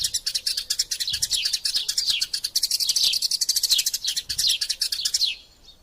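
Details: Eurasian tree sparrow fight, a tutor sound for songbirds: a steady, excited stream of high chirps with little downward-sweeping notes, ending abruptly just after five seconds in near silence.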